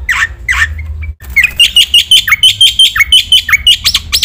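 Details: Black-winged myna training song, lively and full of varied phrases: a few harsh downward squawks, a short pause, then a rapid run of ringing whistled notes, some dipping lower, delivered in an uneven stream.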